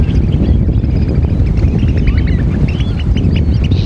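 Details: Eurasian oystercatchers calling: many short, sharp, high piping notes from several birds, overlapping in a busy chatter throughout, over a strong low rumble of wind or surf.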